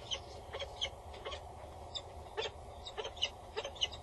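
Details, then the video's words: Peregrine falcon female calling above a tower nest box in the Netherlands with the male nearby, August 2019; scattered rasping notes, some faint, irregularly spaced against a constant low hum. "Female above the booth. Male is nearby. She is loud and bows"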